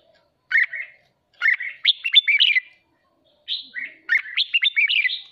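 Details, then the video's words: Red-whiskered bulbul song for stimulating competitive singing: short bursts of bright, warbled, chirpy phrases with rapid up-and-down notes, two groups of phrases separated by a pause of about half a second, clean background. "Chào mào hót kích bổi ức chế căng lửa hót ché"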